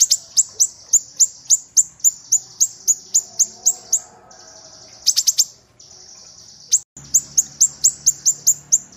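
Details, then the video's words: Kinoi giving a fast series of thin, very high, downslurred chips, about four a second, with brief pauses between bursts. "Suara burung kinoi original"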